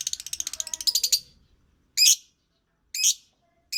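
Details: Lovebird song opening with a rapid, rattling chatter of buzzy notes, followed by three loud shrill screeches about a second apart.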